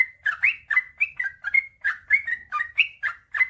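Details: Vigorous long rapid 'ropel panjang' song of a male sooty-headed bulbul, a master recording meant to stir silent birds to sing. It is an unbroken string of bright, bubbling, slightly rising and falling notes, each a fraction of a second long.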